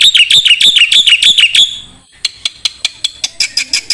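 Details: Black-winged starling song used as a training recording for songbirds: fast runs of sharp, bright warbling notes, about three a second, a short pause, then a series of dry clicking ticks.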